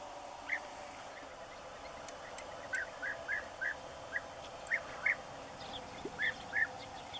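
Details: European bee-eater at its nesting site while feeding chicks: about ten short, rolling, slightly trilled calls in quick irregular succession, some paired, over a constant droning background noise.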